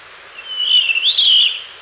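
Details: Blue rock thrush phrase: a sweet whistled note drawn out, sagging slightly, then lifting into a smooth warbled ending, clear and close.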